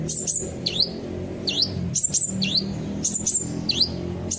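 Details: Kolibri ninja sunbird song for luring birds into singing along: high piercing chirps alternating with swooping down-up whistled notes, repeated roughly every three-quarters of a second, faint hum underneath.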